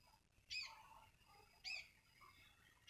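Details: Two quick, bright bursts from one sooty-headed bulbul (kutilang), each a short whistled flick with buzzy edges, about a second apart, followed by softer low warbles against a quiet hum.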